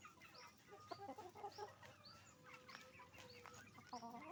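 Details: Chicken farm flock of roosters and hens: scattered clucks, a long steady flat tone held for about a second, and frequent high thin rising peeps in the background.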